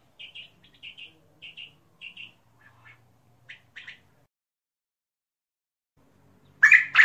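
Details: Soft, thin twin chirps from a king quail repeated several times, then silence, ending in a sudden loud, harsh squawk.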